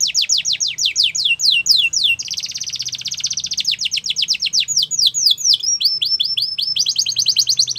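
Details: Yellow canary, said to sing in the wild, delivers a long continuous song: quick descending chirps, a sustained buzzy rattle, then more rapid chirp series and trills with little pause.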